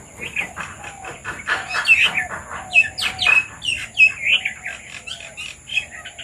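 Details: Red-vented bulbuls that have come to eat papaya give a busy run of short, bright chirps and squeaky notes, several birds calling over one another, with a steady high hiss behind.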